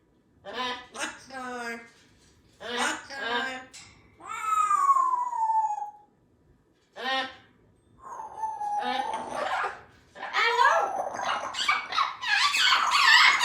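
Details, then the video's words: Female Congo African grey parrot, kept as a pet in a country home, chatty early on a Sunday morning: a series of harmonic, voice-like squawks and phrases, a long falling whistled note, then harsh noisy bursts at the end. "Happy Sunday from Symon the African Grey Parrot"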